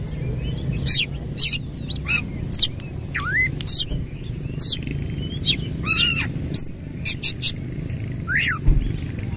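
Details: Oriental magpie-robin with its tail open, singing rolling 'ngerol' phrases: sharp high clicks and short whistles interspersed with swooping notes, a fairly steady low rumble and a brief low thump near the end.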